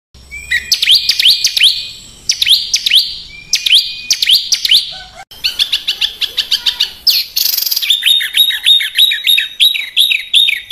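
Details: A small bird gives varied harsh song used as tutor material for caged birds: groups of swooping high whistles, a fast chattering stretch, a hissing burst, then evenly repeated sharp, downslurred chirps.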